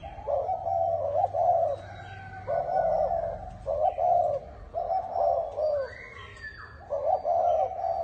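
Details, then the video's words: Cooing of a spotted dove, bronze-bell (chuông đồng) style, meant to excite males and females: low throaty coo phrases separated by short pauses, with a faint thin rising whistle from another bird in the background. "Tiếng chim cu gáy chuông đồng gáy gù gọi bổi kích bổi kích trống mái lên nhanh"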